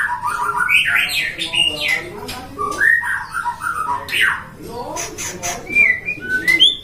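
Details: A captive-bred white-rumped shama from Depok sings a long varied 'gacor' song: tumbling whistles, chattering notes and sharp clicks alternate, with brief rising whistles near the end.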